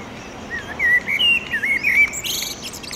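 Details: Male common blackbird singing at sunset near a pedestrian bridge over a railway in urban Oradea, establishing territory: low fluted warbling phrases that slide up and down, ending in a burst of high, thin, squeaky twitter.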